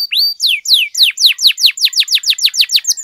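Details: Canary singing to set off other canaries: one long rising whistle, then steady repeated falling slurs that quicken to around five per second, shrill and ringing.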